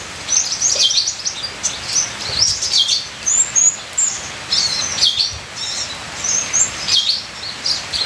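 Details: Ninja sunbird giving busy, high-pitched twittering bursts separated by short pauses, notes sharp and buzzy, over a steady background hiss like rain.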